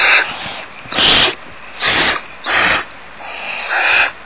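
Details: Barn owls (Tyto alba) in a crowded tree-cavity nest as the mother feeds rapidly growing owlets: harsh, breathy hissing screeches, four bursts of about half a second each, roughly a second apart, over soft background hiss.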